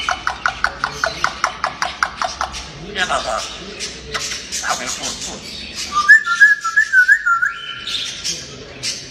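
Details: A playful, talking pet grey parrot gives a rapid run of sharp clicks, then raspy speech-like chatter and a clear whistled phrase near the end.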